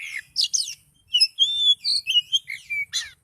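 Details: Oriental magpie-robin singing excitedly at high intensity: a rapid string of clear whistled notes, upslurs and short trills changing pitch from note to note, ending in a harsh burst.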